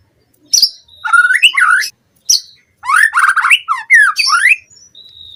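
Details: White-rumped shama fast lure song for captive birds: sharp high notes, then dense bursts of varied slurred whistles and quick trilled phrases.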